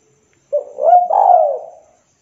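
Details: Spotted dove of local stock calling to a rival, giving one mellow coo: a brief opening note, then a drawn-out, gently undulating cooing phrase that trails off into silence.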